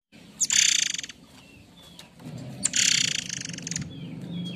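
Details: White-rumped shama giving its harsh rough notes, used as a lure and master for training other birds: two loud, dense rasping bursts about two seconds apart, with faint thin whistles between and a low background hum.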